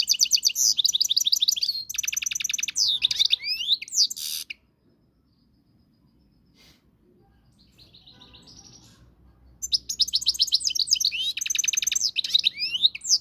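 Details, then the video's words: European goldfinch of Moroccan type in song, fast liquid twitters and buzzy trills in long phrases, then a silent gap and a softer mid-pitched note before energetic twittering returns. "صوت الحسون المغربي"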